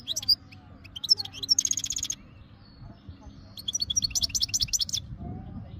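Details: Goldfinch, called meqnin locally, in Jijel, Algeria, said to be ready for mating. Scattered chirps lead into dense pulsed bursts, then a rising run of bright twittering notes, against a low droning background.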